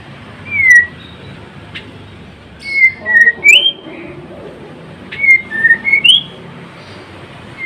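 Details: Whistled song of a white-rumped shama, Murai Blorok type: clear slurred notes falling then rising, given in short groups of two to four with pauses between.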